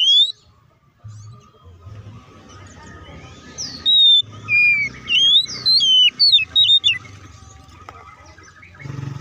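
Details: Magpie-robin song played to provoke birds into responding aggressively: a high slurred whistle at the start, then noisy background hum before a mid-clip run of loud, clear, swooping whistles and quick chirps, fading back to hum.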